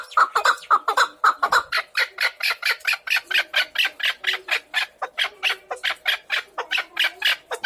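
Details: A rapid, accelerating train of harsh chuck notes from a chukar partridge, about four per second, starting lower and grating, then becoming brighter and evenly spaced.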